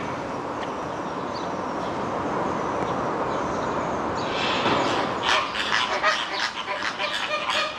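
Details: Flamingos at Lisbon Zoo, Portugal, around 3 pm at 30 °C: a rapid, overlapping chatter of goose-like honks, several per second, rising in the second half over steady visitor hubbub.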